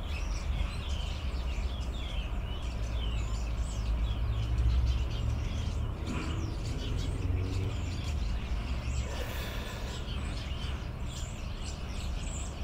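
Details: Sparrows, a flock of hundreds gathered in a big tree behind garden houses, a twice-yearly visit: rapid, overlapping high chirps and tweets run on without pause over a constant low rumble of traffic or wind.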